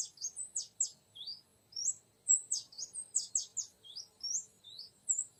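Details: Oriental magpie-robin used to lure a young wild male: a lively run of clear whistles, some sweeping downward and some rising, delivered in quick succession.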